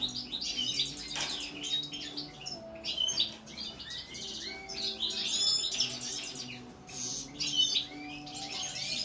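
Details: European goldfinch delivering a busy high-pitched song of tinkling twitters, slurred whistles and a brief buzzy trill, flowing almost without pause over a soft low hum.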